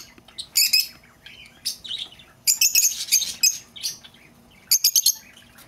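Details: Lovebird calls, played to lure back an escaped bird: bursts of very high, shrill, screechy chirps in clusters separated by quieter gaps, with a faint steady hum underneath.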